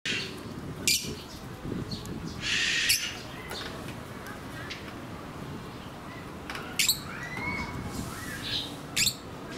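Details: Fischer's lovebirds at Tokuyama Zoo, Shunan, Yamaguchi, Japan, on 19 May 2018, give four or five shrill, harsh squawks a few seconds apart, over a low, steady background rumble.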